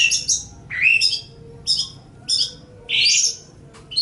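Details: Cendet or pentet, the long-tailed shrike, in a master song for training songbirds: a falling harsh note, then high scratchy chirps, then a loud buzzy rasping burst. Pauses separate the elements.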